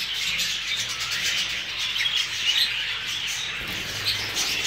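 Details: Newly arrived Hogoromo budgerigars keep up a constant scratchy twittering, many voices at once, with occasional sharper whistled squeaks rising above the mass.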